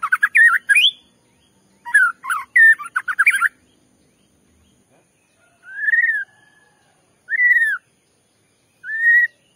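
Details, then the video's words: White-rumped shama lure song to provoke a rival shama: a burst of rapid warbles and trills early on, then three spaced, clear arched whistles about every one and a half seconds. "Pancingan Murai batu bikin murai emosi"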